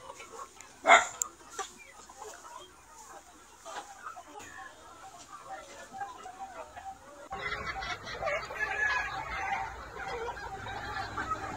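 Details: Free-range flock of Vietnamese chickens, Noi fighting birds, bantams and crossbreds, foraging on insects and greens in a wide yard by day; a loud sharp squawk early, then scattered soft clucks over steady background hiss that thickens in the last seconds.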